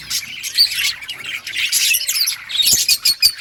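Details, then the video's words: Chirping budgerigars, lively high-pitched warbling and twitters rising and falling in loudness, ending in quick sharp notes. "Budgies birds sounds parakeet chirping sounds"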